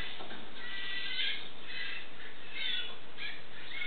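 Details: Four young wild western scrub jays, found on the ground and hand-fed corn indoors: harsh, raspy begging squawks in short bursts, with some thin whistled tones mixed in, over steady background hiss.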